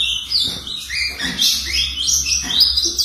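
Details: Brown-plumaged ultramarine grosbeak, four months old and kept by an owner, giving its first song notes: a run of thin, varied chirps and short slurred whistles rising and falling, with a low background hum.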